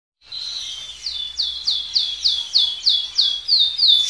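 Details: Canary, a gacor bird in speed-roll style used as song tutor for other birds, repeating clear downward-sweeping whistled notes about three per second, growing louder, faint low hum behind.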